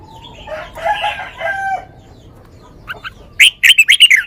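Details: Red-whiskered bulbul with a sweet 'lak wai' style song: soft, muffled warbling at first, then a short burst of loud, sharp whistled notes near the end.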